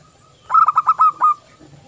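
A zebra dove gives a quick run of about six soft, staccato cooing notes in under a second, ending on a longer coo. The background is otherwise quiet.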